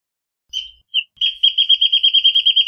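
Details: Single Wrentit phrase: a drawn note and a short whistle, then a steady, accelerating chain of bright notes continuing to the end.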